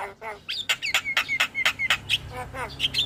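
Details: Morning song of a Javan myna, used to tutor and lure other mynas: rapid alternating grating notes and clear falling whistles, roughly four per second, in a lively, continuous string.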